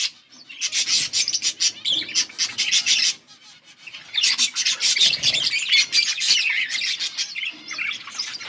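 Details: Yellow budgerigars chirping, August 18, 2024, in rapid scratchy twittering bursts, quiet for about a second after three seconds, then dense warbling chatter returns.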